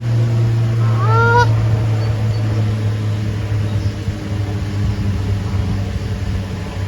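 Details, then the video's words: A Canada goose gives one loud, nasal honk that rises then drops, early on, over a steady low rumble of flowing water, with birds chirping. "Sound of geese honking"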